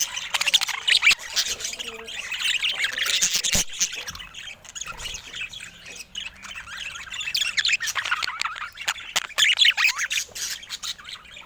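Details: Colourful pet budgerigars in Louisville chattering together: a dense mix of high, rapid warbles, squeaky chirps and scratchy notes from several birds, with sharp clicks scattered throughout.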